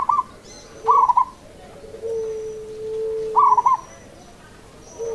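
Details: Local zebra dove (perkutut) giving seni irama song: clipped, bubbling coo phrases of several rapid beats, repeated every two to three seconds. A sustained lower whistle-like tone and faint high tones fill the gaps.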